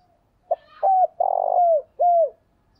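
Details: Spotted dove cooing, played as a lure to draw wild doves: a short clipped note, then a hollow coo, a long rough buzzy coo and a final falling coo, all low and mellow with no other sounds.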